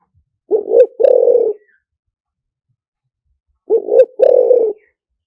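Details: Decoy song of a spotted dove in the lio tan style: two clear phrases, each a pair of short rising coos then a longer rough coo, spaced about three seconds apart, otherwise silent.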